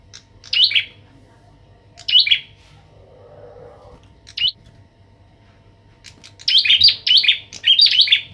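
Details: Bar-winged prinia, a kept bird used to stir up a young prinia in training, gives sharp, high, chirping bursts: three spaced phrases, then a rapid run of four more near the end, over a low hum.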